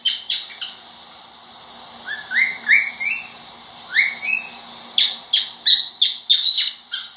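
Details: Captive cockatiel mixing sharp high chirps with short rising whistled notes in small bursts, then a fast run of chirps toward the end.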